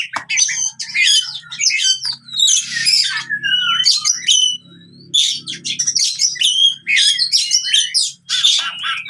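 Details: Oriental magpie-robin pouring out fighting song, used to stimulate birds that have stopped singing. Phrases of chattering notes, scratchy bursts and pure rising whistles come in waves separated by brief pauses, over a faint low hum.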